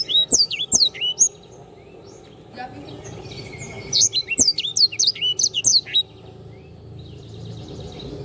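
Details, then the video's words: Canary singing for tutoring cage birds: strong high whistles at the start, a quieter buzzy stretch, then a fast series of rising and falling whistled notes, with occasional knocks. "sanger gacor. masteran burung..."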